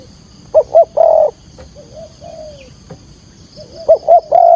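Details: Spotted dove calling as a lure for trapping, from Vietnam: two short hooting notes followed by a longer steady coo near 700, with softer, quieter cooing between and another phrase beginning at the end; faint steady high hum behind.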